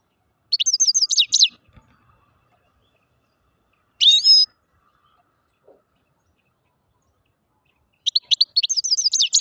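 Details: Grey-crowned goldfinch, also called Altai goldfinch, singing: bright tinkling twittered phrases of rapid high notes, a short burst near the start, a brief buzzy trill at four seconds, then another lively twittering phrase after a pause; otherwise quiet.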